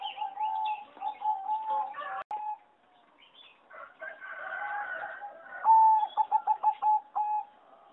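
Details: Singing zebra dove bred for song competitions, recorded in an aviary on 26 April 2014: soft steady coos and trills first, then a loud burst of quick pulsed coos near one pitch, later doves quieter.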